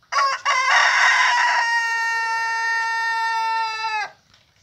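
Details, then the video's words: Rooster crowing: one loud, sustained crow lasting about four seconds, opening harsh and broken, then settling into a clear, steady, richly harmonic tone before stopping abruptly. "Galo músico cantando"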